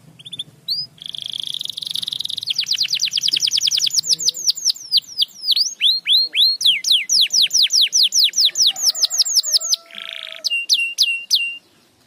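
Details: Canary song opening with a few sharp notes and a buzzy roll, then a long sustained tour of rapid falling whistles, shifting to slower swooping notes, another brief buzzy roll, and a final quick rising trill.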